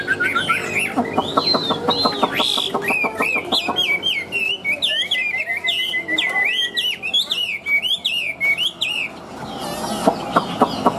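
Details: A newly arrived caged Chinese hwamei gives a loud, varied stream of clear whistles, slurred notes and rapid warbling phrases, with faint background music.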